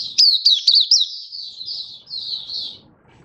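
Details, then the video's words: Malaysian white-eye singing in Singapore, warm sunny weather, March 2023: a quick run of sharp high twitters fading into thin, sustained high warbling, then quiet. "Malaysian Mata Puteh Happy Buka Sing"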